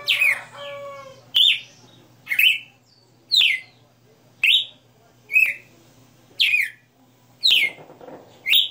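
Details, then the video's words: Kept Red-cowled cardinal (galo de campina) opening with a fluttery harmonic warble, then nine crisp whistled notes, each starting with a sharp click-like attack and dropping in pitch, evenly spaced about a second apart. "Galo de Campina 60 NOTAS Cantando Ao vivo"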